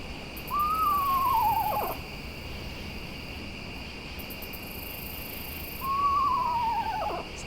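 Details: Eastern Screech-Owl whinnying at night, as pairs do between each other at a distance to communicate; two clear descending whinnies five seconds apart, a rising note then a quavering trill sliding downward, over a constant chorus of katydids and crickets.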